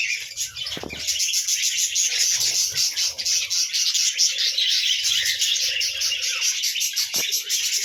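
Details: Morning budgerigar flock sound, steady high chattering of many chirps and warbles, punctuated by a few short sharp clicks.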